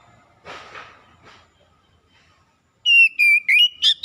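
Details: Oriental magpie-robin song used to prompt a reluctant bird to sing: after faint murmuring and a quiet gap, a run of clear, high whistled notes, some steady and some sliding down or up, in quick short bursts.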